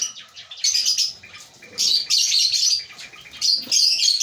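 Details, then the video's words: African lovebirds in a breeding colony give high, squeaky chirping in three loud bursts of rapid twitters separated by brief quieter gaps, many birds calling together. "Lovebird Singing & Chirping Sounds"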